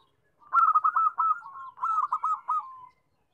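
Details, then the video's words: Zebra dove call, used to prompt silent doves to start calling: two rolling, pulsed coo phrases, each a quick run of throbbing notes with a slight dip then a drawn-out ending, in a quiet background. "Suara perkutut Ampuh Atasi Macet bunyi"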